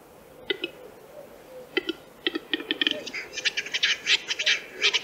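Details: Western Capercaillie, Central Russia, giving spaced dry clicks that speed up into a dense, rapid series of hard rasping and scraping bursts, with faint low murmurs underneath.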